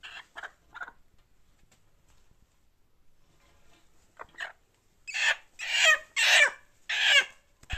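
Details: A Marans hen gives three soft, quick call notes, then after a pause a run of four loud, harsh squawks spaced under a second apart.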